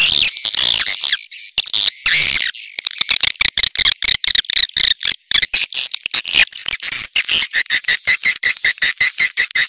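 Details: Swiftlet lure sound, twittering chirps at first, then a long series of evenly spaced sharp clicks with a faint high whistle behind them.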